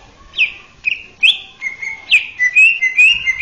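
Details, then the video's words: Male greater green leafbird singing melodiously as a tutor for young birds, a lively chain of slurred, swooping whistles and short trills delivered at a steady rapid pace. "SUARA MERDU MASTERAN CUCAK IJO JANTAN!!!"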